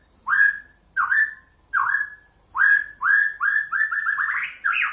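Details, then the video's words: Song of a white-rumped shama: clear whistled notes with a sharp upward flick, repeated about every 0.7 seconds, then speeding into a fast run of rising warbled phrases. "Kicauan Murai batu"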